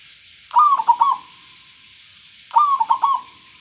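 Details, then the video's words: Clear-voiced local zebra dove repeating its song twice, each phrase a quick series of bubbling coo notes starting higher and settling lower, two seconds apart, over a light steady hiss. "perkutut lokal suara jernih"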